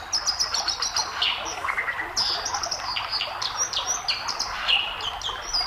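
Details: A white-throated dipper on a stream sings a sweet, scratchy warbling of quick high chirps and trills without pause, half lost under the steady roar of rushing stream water.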